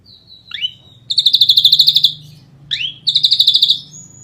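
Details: Ashy drongo song, 'nembak rapat' style: a sweeping upward whistle leads into a rapid high trill of about a dozen sharp notes, repeated once more after a short pause, over a low background hum.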